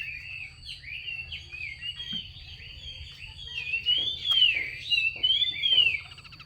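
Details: Female Chinese hwamei calling to excite males into song, starting with quick soft slurred notes and building to loud, arching whistled phrases near the end, with a constant low hum behind.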